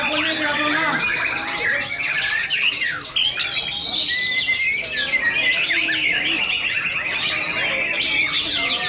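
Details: White-rumped shamas at a singing contest, a duel between the first- and second-place birds: dense, overlapping bright whistles, rapid trills and harsh chattering notes from several birds at once, with a faint man's voice underneath.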